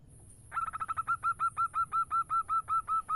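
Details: Local zebra dove song meant to lure other doves: after a quiet start, a rapid, accelerating then steady string of about fifteen short hollow coos at one pitch, around three per second, over a low rumble.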